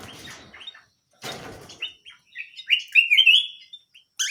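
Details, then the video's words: Small canary singing hard: a few scratchy notes, then a sweet rising warble that builds into a loud, bright trilled phrase. "BURUNG KENARI MUNGIL GACOR"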